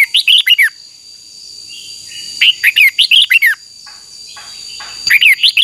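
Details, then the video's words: Red-whiskered bulbul, a bird kept for singing contests and song training, sings bursts of quick warbled whistled notes, each burst of about five rapid rising and falling phrases, repeated roughly every two and a half seconds, with a steady faint high tone behind. "Chào mào hót đấu Chào mào luyện giọng hót hay"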